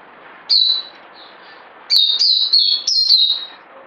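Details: Bird giving one short whistled note, then a longer string of clear, high, slightly warbled whistles that shift between pitches, with a quiet background.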